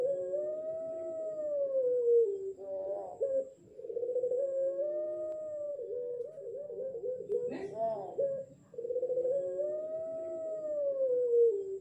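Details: A six-month-old ring-necked dove learning to coo in the dark gives long drawn-out hooting coos, rising then falling like a faint wolf-like howl, about every four seconds, with short broken notes between.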